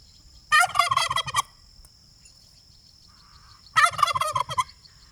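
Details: Pastured domestic turkey foraging on an off-grid free-range homestead gobbles twice, each burst a rapid rattling gobble under a second long, about three seconds apart, over a steady high insect whine.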